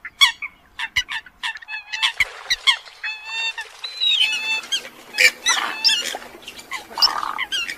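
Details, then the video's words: Eurasian coot chorus: short honking notes and a few longer drawn-out nasal calls in an irregular overlapping series, with a raspier burst near the end. "tiếng chim sâm cầm"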